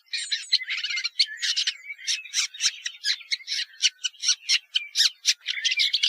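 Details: Scratchy, energetic Woodchat shrike song of quick harsh notes and rasping chatters, broken by thin squeaks and brief whistles, delivered almost without pause.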